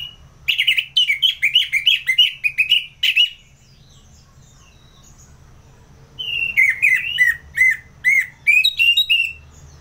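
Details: Ngeplong-style song of an Orange-headed thrush kept for bird contests in Singaraja, North Bali: a run of loud, fast warbled whistles, a pause of about three seconds, then another bright rolling series of notes.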